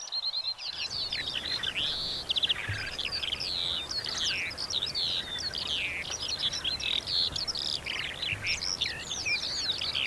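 A Eurasian Skylark pours out a continuous, rapid stream of high warbling trills and chirps without pause, over a faint low rumble.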